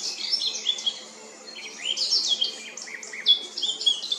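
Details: Eurasian blackcap in Remscheid, Germany, 10 June 2022, singing varied borrowed bird songs: rapid jumbled chirps and short warbled whistles in bursts, a brief lull mid-phrase, then more fluty slurred notes over light background noise.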